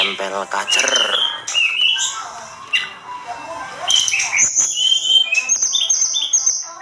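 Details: Sunda robin, locally tledekan gunung, in a lively, agitated masteran song: rapid varied phrases of high whistled slurs, rising and falling, mixed with short buzzy notes and sharp chips.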